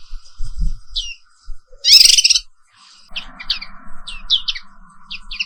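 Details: Black-capped white-eye from Indonesia, morning 'ngerol' rolling song: a loud harsh burst, then a series of short high chirps and slurred notes over a steady low hum.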